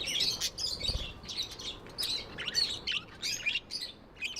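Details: Chattering of pet budgies: rapid bright warbles and clicking chirps in repeated bursts about every half second, one soft low knock early on.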